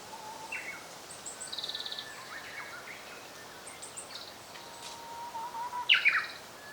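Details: Japanese robin song from 2014 bird watching. A low, drawn-out whistle wavers slightly, then breaks into a brief loud rattle of high notes near the end. Several other birds give high pulsed trills and chirps throughout.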